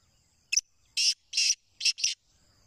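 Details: Captive black francolin calling: a sharp opening click, then four loud, harsh, grating notes in two pairs, the call over in under two seconds, with a steady high hum behind.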